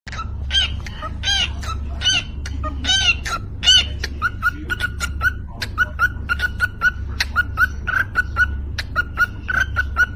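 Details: A cockatiel "beatboxing": a few harsh, warbling whistles, then a quick run of clicks and pops with short chirps, more than one a second, over a low steady hum.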